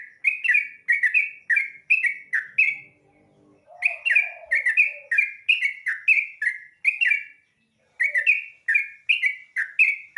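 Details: Yellow-vented bulbul singing at dawn, kept and fed rice crust: rapid series of bubbly, slurred two-note phrases, repeated about three times a second, with a brief low warbling passage and short pauses between bursts.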